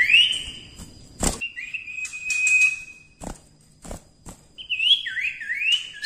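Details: Common Iora singing actively as a songbird training recording: a short whistle, a long level whistle, then quick upslurred notes, with thumps and clicks between.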